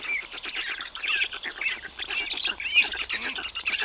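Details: Black stork chicks being fed large fish by their father at the nest, Noteć Forest (Puszcza Notecka), 18 June 2021; dense, raspy, rapidly pulsing chatter with high squeaky notes running continuously throughout.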